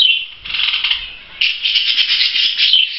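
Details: Budgerigar chicks preening themselves, kept indoors, producing a loud, dense, harsh buzzy chatter that runs almost without break, easing briefly before swelling again.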